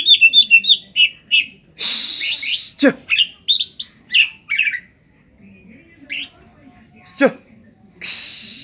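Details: Oriental magpie-robin song, full of imitated phrases of the cetdet bird: rapid series of sharp high chirps and slurred whistles, several harsh downward sweeps and a noisy burst, with pauses between phrases.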